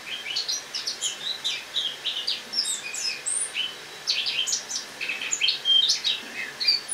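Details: Eurasian blackcap kept in a cage indoors, singing autumn song on the morning of 1 October 2017; a long, continuous, rambling warble of high chirps, squeaks and short whistled slurs.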